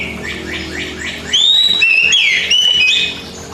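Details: Caged pet Oriental magpie-robin (kacer) on a basic master recording for training birds that rarely sing: four short buzzy rising notes, then loud clear whistles sliding down and up in a varied phrase.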